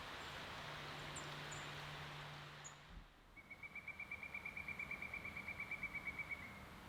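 A Pileated Woodpecker gives a long, even run of loud, ringing notes, about twenty in three seconds, after a steady mechanical hum and broad outdoor noise.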